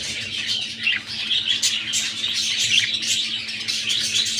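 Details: Continuous rapid chirping and squawky warbling from a budgerigar breeding pair at egg-laying time, a few clearer squeaks standing out, over a constant low hum.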